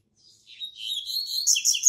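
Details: Caged double-collared seedeater that serves as a singing teacher for other birds in a breeding collection. One song phrase starts with soft high notes, then grows louder and busier into a dense run of bright, buzzy twitters.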